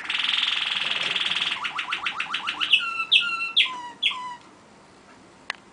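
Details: Waterslager canary brother singing alone while its sibling listens: a buzzy sustained trill gives way to rapid ticking notes, then several long clear ringing tones, followed by quiet.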